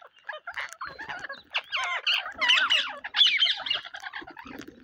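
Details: Parrots on a rainy day, giving a busy run of harsh, harmonic squawks and chattering notes, some bending up and down in pitch, packed closely over about five seconds.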